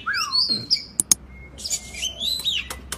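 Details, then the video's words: Oriental magpie-robin, a kacer, in a track meant to coax lazy birds into singing; brief descending whistle, sharp clicks, then a rising whistled phrase with a scratchy burst. "KACER GACOR Terapi agar Kacer Malas Bunyi nyaut ikut GACOR"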